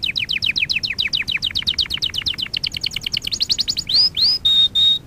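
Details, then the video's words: Canary song for training, a quick run of repeated sharp downslurred notes speeding and rising in pitch, then two upswept whistles and two long pure steady whistled tones. "Kanarya sesi kanarya eğitim/1 canary sing"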